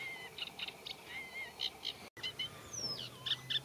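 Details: Eurasian reed warbler singing in a reed bed, a song that mixes in mimicry of other birds of the habitat; sparse scratchy notes with a few clear whistled, descending slurs, broken by a brief gap midway.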